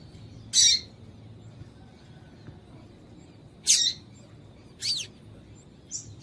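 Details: Female double-collared seedeater call for exciting a male to sing: four short, piercing high chirps spaced roughly a second or more apart, the last one fainter, with steady low background hiss.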